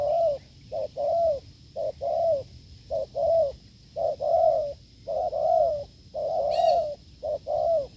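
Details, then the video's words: Wild field spotted dove cooing strongly during decoy testing: paired hollow notes, clipped then longer and arched, repeated about once a second; one brief sharp high sound partway through. "đụng bổi đồng gù cứng,gù lợi cốt quá phê"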